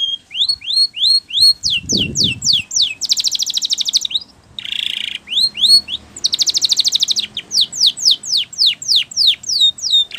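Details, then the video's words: Spanish Timbrado canary singing a training song: rapid series of rising whistled notes repeated about three per second, broken by dense buzzy rattling trills and short low burry phrases. "Your Canary Will Sing Immediately"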